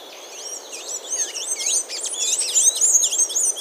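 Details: Blue-gray tanager singing in Brazil. A fast, squeaky twittering of high, thin slurred notes that rise and fall, growing louder and denser toward the end.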